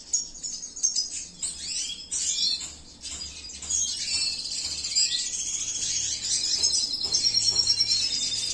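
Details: Male Venezuelan siskin of the cinnamon mutation, bred in captivity at a breeding facility, starts with scattered sharp chirps, then runs into a sustained, rapid, high trilling warble; low hum faintly audible.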